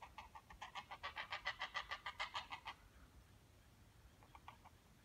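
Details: Heron chicks begging noisily while their mother feeds them: a fast run of harsh, clattering pulses, about three or four a second, swelling then stopping, with a few fainter pulses after a pause.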